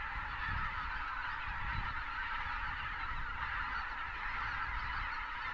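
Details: Greater white-fronted geese by the thousands wintering south of Uvalde, South Texas, as pelicans take off to join them; steady wall of overlapping high honks and yelps, with low wind-like rumbling throughout.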